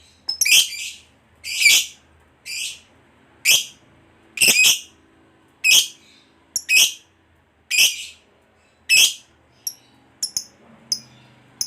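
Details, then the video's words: Lovebird calling in a recording meant to lure other lovebirds: loud harsh shrill chirps spaced about a second apart, with a few short softer squeaks near the end. "Suara Burung Lovebird Ngekek Panjang Memanggil"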